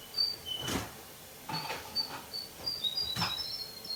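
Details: Evening phrases from a young male Russian canary: brief, bright whistled notes in loose bursts, faster near the end, among dull knocks and rustles.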